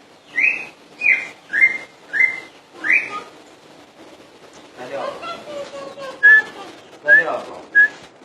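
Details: Common iora singing: five loud, evenly spaced whistled notes that sweep upward then flatten, followed by a softer run of thin whistles and a few sharp rising notes.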